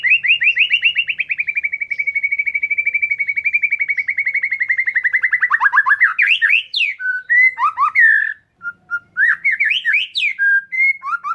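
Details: Oriental magpie-robin lure song: a long rapid even series of short whistled notes, gradually dropping in pitch, followed by mixed slurred whistles and sharp high chips.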